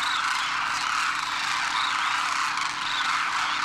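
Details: Large flock of wild Demoiselle Cranes, juveniles and parents wintering at Khichan Village in Rajasthan, north India, as they take off; continuous massed chorus of harsh rolling calls layered on one another, steady in loudness from start to finish.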